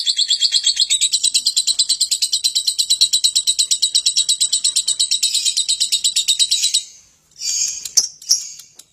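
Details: Lovebird meant to draw other birds into singing: a long, fast, high, rattling trill of even pulses lasting about seven seconds, cut off by a pause and a few brief harsh notes.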